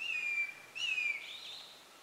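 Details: Changeable (crested) hawk-eagle calling in the wild at Ghotpadi, Bhamragad, on 19 October 2018: two loud, high, drawn-out whistled screams, each starting strongly and sliding slightly downward, the second trailing off; no other sounds.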